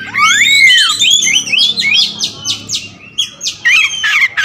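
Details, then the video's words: Kacer wulung magpie-robin, all black, sings a fast burst. Curved whistles start it, then a run of quick scratchy notes and short rising whistles follows, with a faint hum behind. "Adu spek raja kacer materi segudang kacer wulung"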